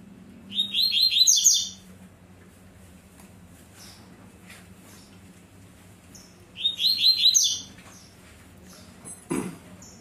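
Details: Young captive male double-collared seedeater on 1 November 2022, answering another bird while its pair gathers straw to nest, sings two quick bursts of bright, high twittering notes about five seconds apart, a brief sharp note near the end over a low hum.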